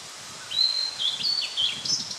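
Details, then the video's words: Blue-and-white flycatcher, recorded 8 June 2013, delivering one rapid song phrase of clear, sliding whistles that step up and down before finishing in a high, rasping note, with faint background hiss. "オオルリ ooruri"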